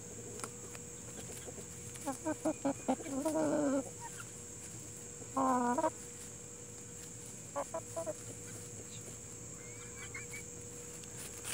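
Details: Plymouth Rock and Hamburg chickens: a quick run of clipped clucks builds into a drawn-out, harmonic, slightly wavering call, followed by a second shorter call and a few more clucks, then quiet. A steady hiss and a faint high tone sit underneath.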